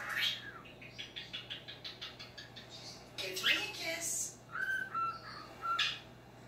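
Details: Pet male cockatiel, indoors in low light, talking while watching footage of himself for the first time: a run of rapid short chattering notes, then scratchy speech-like phrases and brief clear whistled notes.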